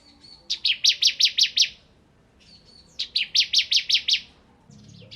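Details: Bar-winged prinia (ciblek kristal) in vigorous song: two bursts of about seven sharp, evenly repeated high chips after short thin lead-in notes, ending with a fainter twitter.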